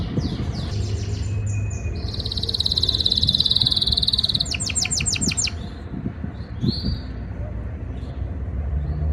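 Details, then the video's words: Canary singing in breeding season, trying to impress a female: a fast buzzy trill held steady, then a run of rapid descending sweeps and short whistled notes, over low background rumble. "Most powerful Canary singing | breeding season | trying to impress female Canary"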